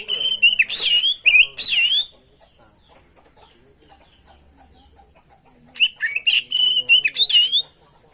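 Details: Oriental magpie-robin (kacer) singing energetically, a training and lure recording packed with fill-in phrases: dense loud bursts of sweeping whistles and harsh notes for two seconds, a long quiet pause, then another rapid volley of whistled and buzzy notes.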